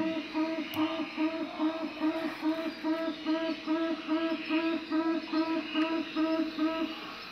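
Tawny Frogmouth giving a low, soft, pulsing "oom-oom-oom", the notes repeated steadily at more than two per second over a faint background hum.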